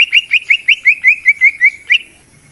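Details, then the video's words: A greater green leafbird lure phrase, used as therapy for birds that rarely sing: about ten quick, evenly spaced whistled notes sliding slightly, closing with one higher note. "pikat mp3 cucak ijo dan bisa untuk Terapy untuk burung yang malas bunyi"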